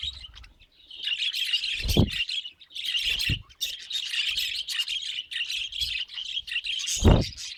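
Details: Budgerigar in steady warbling chatter, high buzzy twittering running almost without a break, with occasional sharp squawks and three dull thuds.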